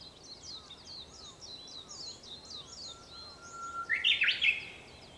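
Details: Early-morning Japanese bush warbler, recorded near sunrise on 4 May 2021: high twittering of other birds first, then a thin held whistle swelling into a bright, jumping phrase.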